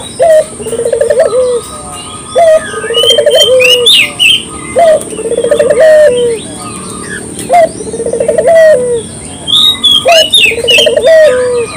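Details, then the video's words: Clear local spotted dove coos used to lure birds: five phrases of a short note, a bubbling trill and a sliding coo, with a busy chorus of high chirping birds throughout. "suara burung puter lokal jernih paling ampuh untuk pancingan pagi siang malam"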